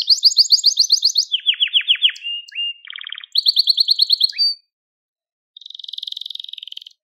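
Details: Crested Gloster canary song for training young canaries, with fast high trills, a descending rattle, a brief low buzz, another rolling trill, a pause and a soft buzzy trill.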